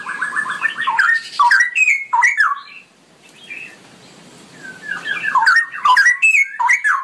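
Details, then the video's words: Straw-headed bulbul singing in a long run-on style: loud, rich, bubbling whistled phrases that tumble up and down, broken by a brief quiet gap before the warbling resumes. "suara burung cucak rowo ropelan panjang"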